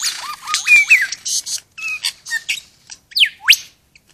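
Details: Wild superb lyrebird just inside a property gate near Lakes Entrance, East Gippsland, Victoria, singing a varied run of mimicked sounds: sharp whistled sweeps, rising and falling notes, and buzzy chirps in quick bursts, with short gaps.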